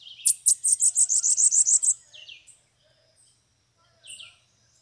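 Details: Bananaquit (sibite) song during a lure session, with several loose birds arriving at a cage: a rapid, even series of about ten high, thin, sharp notes lasting under two seconds, followed by a few softer, sliding chirps and quiet pauses.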